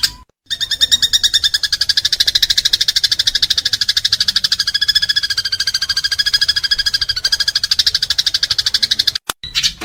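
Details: Fighting house sparrow giving a long, continuous, rapid rattle of harsh, buzzy notes, evenly paced and sustained for about eight seconds with a brief break at each end. Recorded as training material for pet birds.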